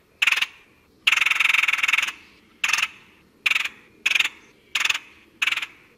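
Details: Red-headed woodpecker of North America, Canada included, giving rough nasal calls: a short burst, a drawn-out grating note near one second, then five brief harsh calls spaced roughly every half to one second.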